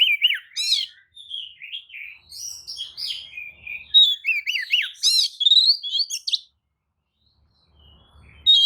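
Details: Kacer (white-rumped shama) lure song meant to make rival shamas angry and answer; sustained varied whistling with sharp rasping notes, ending in quiet before a final note.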